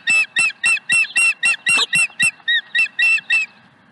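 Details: Osprey at a nest on Dunrovin Ranch, 5 May 2020, evening, bringing a fourth fish to the nest: a steady series of bright, piercing chirps repeated about four times a second, each note high and slightly downslurred.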